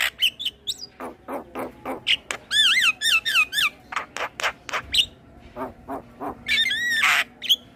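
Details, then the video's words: Male Asian pied starling giving a rich, varied song used to tutor other starlings: sharp squawks, rippling wavering whistles repeated in quick succession, and grating notes. "Kicauan Jalak kebo Jantan Full Isian Pas Untuk Masteran Semua Jenis Burung jalak"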